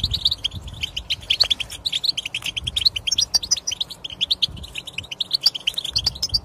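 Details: Continuous European goldfinch song used to encourage non-singing goldfinches: dense, liquid, tinkling twitter of fast high notes that runs without a break.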